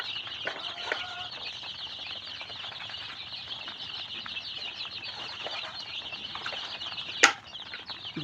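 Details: Chicks of the original Tiger chicken breed on a farm in Sirajganj Sadar, Bangladesh; a dense, continuous chorus of high, thin peeps from many chicks, with a sharp click near the end.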